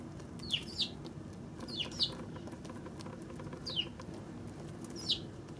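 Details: Eurasian tree sparrow recorded on March 16: a handful of short, sharp chirps, each dropping in pitch, some given in quick pairs, spread across a few seconds over faint steady background noise.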